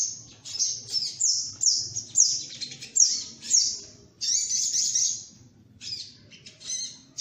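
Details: Sunbird lure sound: loud, high twittered phrases in irregular bursts, each a quick squeaky tumble of notes, including one longer buzzy trill and softer fluttering chips toward the end.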